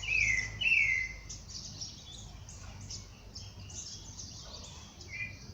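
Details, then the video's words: Birds singing at dawn out in nature. Two clear, descending whistled notes open the passage. A steady wash of faint, high chirping from several birds continues beneath them, and a shorter whistle returns near the end. "pássaros cantando no amanhecer"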